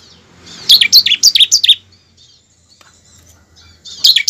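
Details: Lure recording meant to spur a pet bar-winged prinia into steady, vigorous song: a fast run of about six high, scratchy chirps, then a quiet pause and a fresh burst starting at the close.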